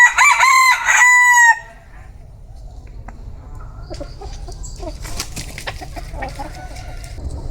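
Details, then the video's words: Bantam chicken crowing at the opening, a harsh, harmonically rich call of two or three pulses ending in a drawn tail, followed by low hum and scattered clicks and rustling. "Tiếng gà tre gáy"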